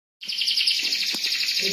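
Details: Canary singing a long, continuous song with a rapid high trill, starting abruptly after a short silence.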